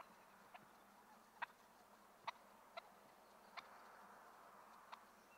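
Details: Two wild turkeys fighting over a female; sharp, clipped clucks or putts, about six at uneven intervals over five seconds, against a steady low hiss.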